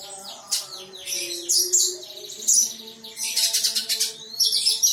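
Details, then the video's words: Female sunbird kept in a cage and described as a keen, contest-ready singer pours out quick high chirps and scratchy twitters in uneven bursts, with a faint steady low hum in the background. "Konin dacok gacor materi siap gantang untulan betina"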